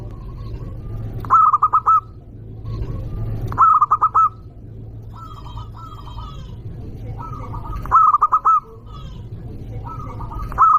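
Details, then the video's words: Loud local zebra dove used as a lure to provoke rivals: five rippling coo phrases repeated every two seconds or so, with fainter, softer coos between them and a constant low hum. "Perkutut lokal gacor suara keras juaranya burung perkutut"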